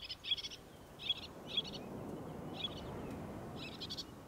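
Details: Roseate tern on 27 August 2022 uttering a few spaced, rasping high notes, about five calls in four seconds, each short and clipped, above a steady low background roar.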